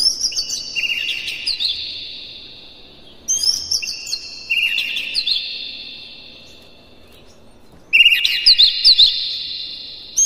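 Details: Provoking song of an Oriental magpie-robin: three bursts of bright overlapping whistles about every four seconds, each starting with fast sharp notes and trailing into long ringing tones.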